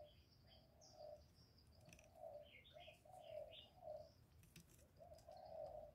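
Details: Spotted dove in a series of soft, low, hoarse coos, each phrase about a second long, repeated steadily in the 'thổ' voice style and played to stimulate caged males; faint high chirps from other birds and steady background hiss.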